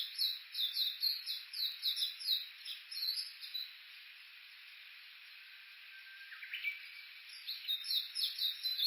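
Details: Japanese bush warbler on the bush warbler road at the foot of Mount Yakushi, Kuka, Suo-Oshima, Japan, recorded with an Olympus Voice-Trek V-82 while walking. A fast high chattering series fades to a pause, then a low flat whistle and a brief rising flourish.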